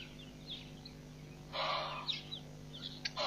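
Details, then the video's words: Helmeted guineafowl recorded at Nkorho Pan on 15 June 2007: a loud, harsh, grating burst lasting about half a second, then a shorter rasping note near the end, with faint chirps of other small birds and a steady low hum. "Helmeted Guineafowl"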